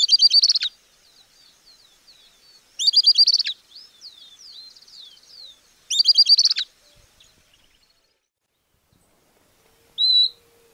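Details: Southern Beardless Tyrannulet (Camptostoma obsoletum, piojito silbón), one of Argentina's common birds, sings quick bursts of high, thin whistled notes about every three seconds, with softer twittering notes between the bursts.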